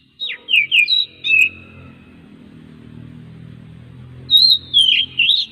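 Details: Oriental magpie-robin song meant to lure other magpie-robins into singing: a few sharp, downslurred whistles, a long stretch of low background rumble, then another short burst of warbling notes.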